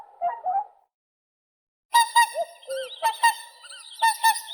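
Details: Whooper swan: two quick honks, then a pause and a series of bright, ringing, harmonic-rich trumpeting notes mixed with lower, bending honks.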